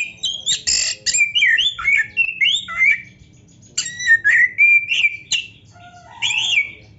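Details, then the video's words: Fluent whistled song of an Oriental magpie-robin, a string of slurred, warbling notes in two bursts separated by a short pause, with a low soft note near the end; intended to make listening kacer birds excited. "MASTERAN KACER GACOR ISIAN MEWAH ‼️ - AMPUH BIKIN KACER LAIN CEPAT PANAS"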